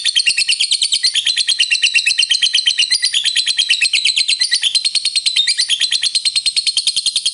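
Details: Fighter lovebird giving a long ngekek trill, used to provoke other lovebirds: a sustained, dense, shrill trill of rapidly repeated buzzy notes with slight wavering in pitch, unbroken for over seven seconds.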